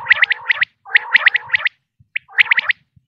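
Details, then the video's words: Female common quail calls used for hunting: three bursts of rapid, bright, rising notes laid over a lower rasping buzz, with short silences between. "Batair ki awaz,batair sounds volume 129,batair sounds audio, quail sounds,female, common quail"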